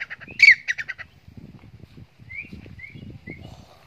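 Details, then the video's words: Grey francolins, shown running and fighting: a quick burst of five or six harsh, squawky notes, then a few faint rising whistles over low background rumble. "Teeter ki awaz"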